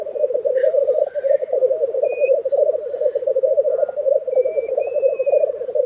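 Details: Lekking black grouse in Tiveden, Sweden, April 2023, keep up a dense, steady bubbling murmur throughout, while short hissing notes and thin whistles from other birds sound faintly overhead.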